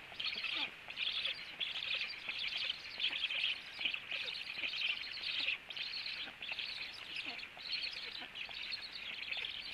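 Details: Feeding at a black stork nest after the male's return at 18:16; steady series of hoarse, hissing high-pitched bursts, roughly one or two per second, fairly even in loudness.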